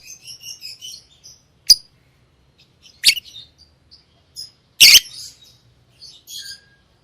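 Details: Soft, high twittering from a lovebird broken by three loud, harsh chirps, the last one longest and noisiest, followed by a few faint squeaks.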